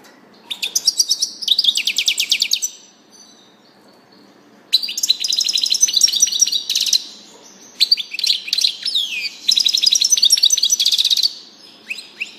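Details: Singing European goldfinch delivering long, fast phrases of high, liquid twittering and buzzy trills, broken by brief pauses, with sharp notes strung closely together over quiet background hiss.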